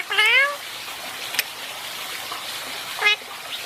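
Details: Indian ringneck parakeet, a pet, calling while basking: one drawn-out, rising harmonic call, then a brief clipped note later, over steady trickling water-like noise.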